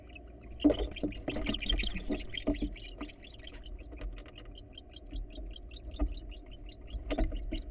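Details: Wild male barn owl at a nest box coaxing a female to come inside: scraping and knocking sounds, then a run of quick, short chirping notes that softens and returns, with more scuffling near the end.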